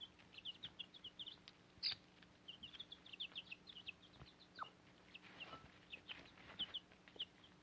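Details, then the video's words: A backyard brood of chicks nearly grown, with a Cochin mother hen on fodder, keeps up continuous thin, high peeps, each dropping in pitch, dense and overlapping, with an occasional sharp tap. "Baby Chicks And Mother Hen"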